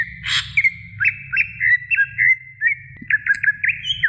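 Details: Greater green leafbird singing vigorously for a training recording: a rough opening note, then a string of quick whistled flicks and twisting notes at an even pitch, with low background hum.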